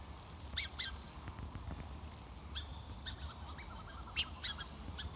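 Black-necked Swans give short, soft, wheezy whistled notes, often in quick pairs, scattered through the clip over a steady low rumble of wind.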